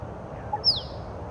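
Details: At Lake Monger near Perth, Western Australia, in late afternoon, a male musk duck displaying to a female gives one sharp, high whistle that drops quickly in pitch, with a faint low note just before it, over a quiet background hiss.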